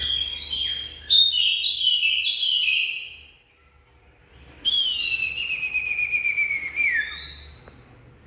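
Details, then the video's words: Oriental magpie-robin song with rapid varied whistles and chattering notes, a short silent gap, then a long, clear, slowly descending whistle and a final rising note. "Bird Oriental Magpie-Robin| Birdsong"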